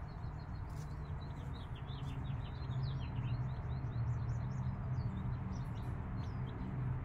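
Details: Five-day-old chicks kept with a mother hen: busy, rapid peeping, short falling notes roughly four per second, running throughout over a loud low rumble.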